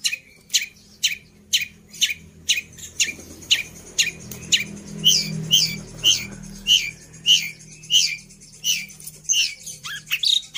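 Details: Long-tailed shrike singing with fills copied from other birds: high sharp notes repeated about twice a second, some becoming bright upswept double notes, over a steady low hum.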